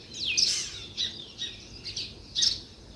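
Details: Sparrow chirping: a loud, harsh, downward-sweeping chirp followed by several shorter, sharp chirps spaced about half a second apart.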